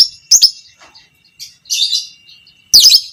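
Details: Lovebird of the fighter type, a violet pastel creamino (biola PB creamino) bird, giving long chattering ngekek calls as training material for other lovebirds: shrill, scratchy bursts of chatter separated by short pauses, over a faint steady high whine.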